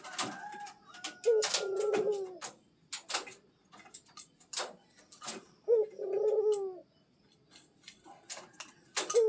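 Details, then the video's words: Pet zebra dove, coaxed into calling nonstop, gives low rolling coos: a sharp opening note followed by a long trembling purr, repeated a few times, with frequent sharp clicks and taps around it. "PUTER PELIHARAAN, DI PANCING BUNYI TIADA HENTI"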